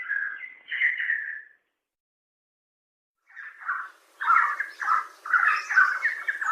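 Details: Red spurfowl (Galloperdix spadicea), a shy Indian ground bird of forest undergrowth, gives its harsh, cackling flushed call: a short burst of notes, a pause, then a faster run of rough repeated syllables.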